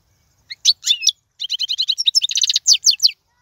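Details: European goldfinch song meant for young birds to learn from, described as royal and error-free: a few separate high chirps, then a fast run of buzzy, twittering notes repeated in quick succession.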